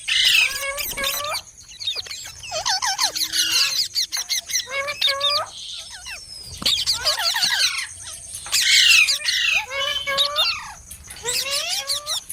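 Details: Parrot producing a long run of chattering harmonic calls: hooked, up-and-down notes repeated in quick bursts with short pauses and a few harsh squawks.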